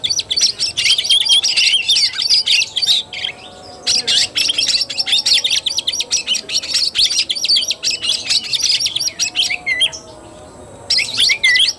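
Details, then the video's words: Kacer tarung, the fighting-style song of an Oriental magpie-robin, 17 August 2021: long dense bursts of high chattering and whistled notes separated by short silent breaks. "KACER TARUNG"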